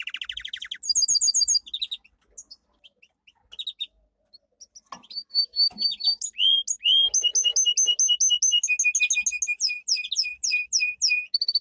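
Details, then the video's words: Domestic canary singing its powerful training song: a short trill and high notes, a quieter pause, then a long run of rapidly repeated whistled and chipped notes. "Canary singing - 2 Canary 's most powerful song for training"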